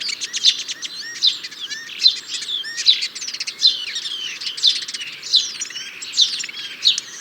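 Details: European starling singing a continuous medley of squeaky chirps, buzzy rattles, clicks and short slurred whistles, packed tightly with bright accents about every second.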